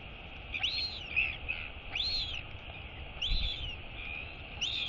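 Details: Royal albatross chick wheeing at its mother at feeding time: high, arching whistled notes rising and falling, about one per second, with faint low rumble behind.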